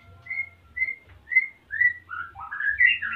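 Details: ['A breeding-condition male white-rumped shama from Salaman, Magelang, Central Java, courting as the female nests. Clear upslurred whistles repeat about once a second, then build into a rising, tumbling phrase over a low steady hum.']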